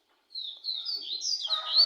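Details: Double-collared seedeater singing a short, high warbled phrase of sliding whistled notes that grows fuller and louder toward the end.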